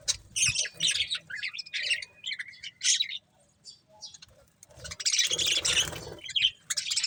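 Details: Budgerigars feeding on corn give sharp twittering chirps in short bursts, a near-silent stretch midway, then a louder dense chatter with a harsher scratchy note.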